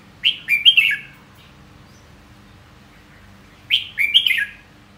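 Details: Two matching liquid phrases from a red-whiskered bulbul, each of three quick whistled notes falling at the end, separated by a pause of about three seconds.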